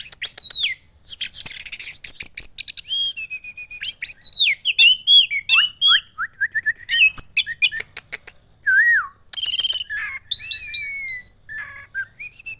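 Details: Loud varied song from a caged young red-headed thrush (orange-headed thrush) in Klaten, Central Java, Indonesia; long sequence of sharp chips, falling whistles and scratchy twitters with brief pauses throughout.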